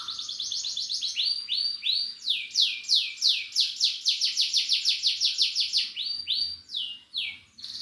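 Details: Canary in full song: a long run of fast repeated upward-swept whistled notes, about three per second slowing at the end, preceded by quick chirps.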